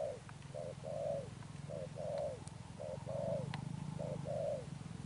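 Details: Sấm Thổ style cooing from a wild-caught spotted dove, four short-then-long coo pairs over a steady low hum, with a few faint clicks.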